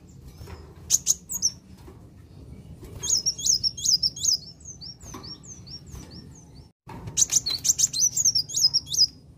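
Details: Song of Van Hasselt's sunbird, meant to excite and provoke other birds: sharp high chirps, then a lively string of thin, downslurred whistled notes, a short pause, and another rapid burst of piercing high notes.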